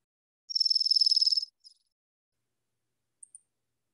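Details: A Dark-eyed Junco, common in Iowa in winter, sings a rapid, high, musical trill of about seventeen even notes in one second. A few faint high ticks follow.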